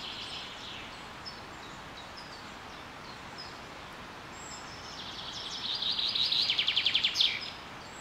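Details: Spring birdsong at Carrizo Plain National Monument, California, USA, during a super bloom. Scattered faint high chirps, then a brief, rapid, buzzy trill of repeated notes swells and fades. A steady hiss of open-country ambience runs throughout.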